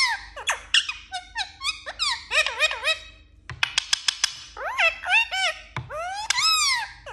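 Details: Indian ringneck parakeet talking indoors: a dense run of squeaky, harmonic, word-like syllables that swoop up and down, broken by a short burst of sharp clicks midway, then more arched, rising-falling phrases.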